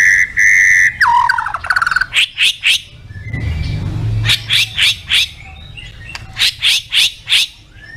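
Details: White-rumped shama song with fill-ins (isian): a held whistle, a chattering slurred phrase, then short harsh chip notes in spaced groups, with a low rumble in the middle.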